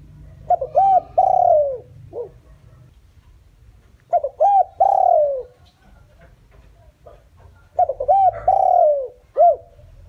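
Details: Decoy spotted dove giving a lure call used to attract wild doves: three repeated phrases, each a pair of short hollow coos then a long, drawn-out falling coo and a brief final note, roughly every four seconds, indoors and otherwise quiet.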